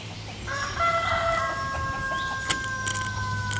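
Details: Black woodpecker during the breeding season while raising its young: a drawn-out, plaintive tonal call with stacked harmonics holds steady for about three seconds, with faint clicks and a low rumble of background noise.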